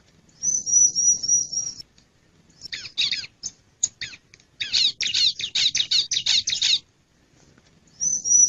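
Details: Calls of a male bar-winged prinia: a high, thin trill, then clusters of rasping, buzzy chirps delivered rapidly, ending with a return of the same sustained high trill.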